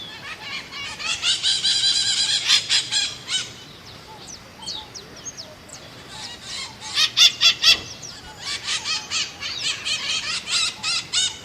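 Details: Maitaca-verde, the Scaly-headed parrot, with several uneven series of grating, rasping squawks. The calls come fast and loud at the start, pause briefly, then return in clustered bursts.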